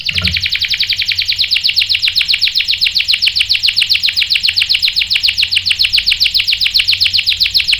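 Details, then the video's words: Canary singing as bait so that a male will respond in rolling song. A fast, even trill of sharp repeated notes runs without a break for the whole stretch. "PANCINGAN KENARI GACOR bikin EMOSI jadi NYAUT GACOR NGEROL | CANARY SINGING"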